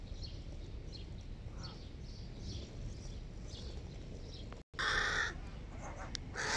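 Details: Hooded crow family feeding giant chicks at breakfast: after a quiet stretch with faint distant chirps, loud grating caws burst out in the last two seconds, repeated close together.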